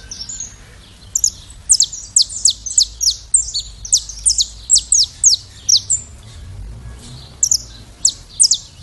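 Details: Saffron finch song, described as classic song: rapid series of sharp, high descending chirps in quick bursts, a brief pause near the middle, then more clipped notes; faint low background hum.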